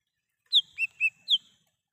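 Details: Lesser green leafbird singing in the wild, intended as a lure and call. A phrase of four sharp whistles, the first and last high and falling, the middle two lower and rounded.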